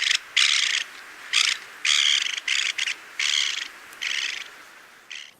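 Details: Mistle thrush alarm call given close by, apparently at the recordist, on 22 March 2014 in strong wind; a series of harsh, dry rattling bursts, each about half a second, repeated in quick succession.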